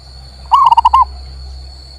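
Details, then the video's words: Zebra dove song, local male, meant to prompt a bird that has stopped singing: a single half-second burst of five rolling, pulsed coos ending on a slightly longer note, then quiet with a faint steady hum. "MERANGSANG PERKUTUT MOGOK BUNYI"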